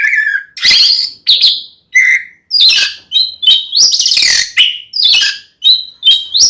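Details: Oriental magpie-robin fighting song meant to rile another male: short loud bursts of rich whistles and harsh, raspy chatters repeat roughly every half second, with pitch jumping between phrases.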